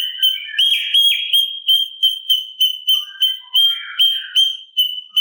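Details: Steady piping song of a sooty-capped babbler, recorded for training captive songbirds: sharp whistled notes repeated nearly three times a second, sometimes joined by short slurred warbles.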